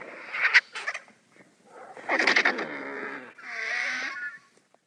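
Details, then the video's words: Vultures fighting over food: sharp harsh rasping bursts, a rough chattering hiss with low grunting undertones, then a hoarse wheezing call with faint bending tones. "Vultures Squabbling Over Food"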